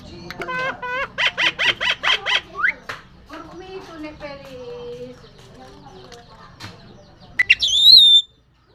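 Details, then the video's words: Talking myna imitating human speech, coughs and laughter: a fast run of about seven evenly spaced harmonic syllables, then softer murmured speech-like sounds and a final loud, sharp rising whistle. "Jalak bisa Batuk, Ketawa, Bicara"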